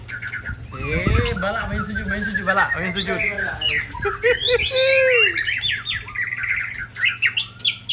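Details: White-rumped shama from Ujong Pancu pouring out rare 'isian' song material: loud, rich, varied phrases with buzzy, downslurred and rapidly modulated notes, a faint voice possibly present, and a constant low hum behind.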